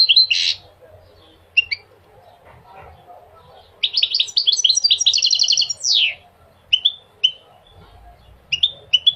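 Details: Goldfinch song meant to motivate male birds and tutor young goldfinches: a buzzy opening note, sparse high chips, then a lively run of fast repeated twittering notes and a descending sweep, followed by scattered sharp calls.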